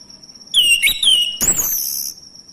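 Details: A brief phrase from a male orange-headed thrush used as a lure: a sliding whistle that dips and rises, then a loud high note falling away into a sustained whistle, over a steady electronic whine.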